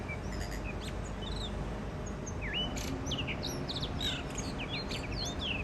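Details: Wild blue rock thrush pair singing for the first time this spring at a balcony in Shonan, Japan. Scattered whistles early give way to a lively burst of rising, hooked and trilled notes, set against faint low traffic-like hum.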